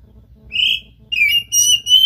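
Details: Oriental magpie-robin producing a few strong whistled notes: one even tone, then a falling slur and longer steady whistles in brief succession.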